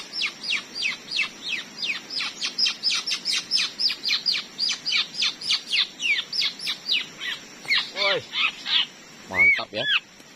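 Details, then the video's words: Wild Indonesian forest white-rumped shama battling a trapping decoy bird: a long, rapid series of sharp, high, downward chips, nearly five per second, then deep swooping notes that plunge low, and a final rich, slurred whistle. "PIKAT SAYA TARUNG SAMA MURAI BATU HUTAN SUPER"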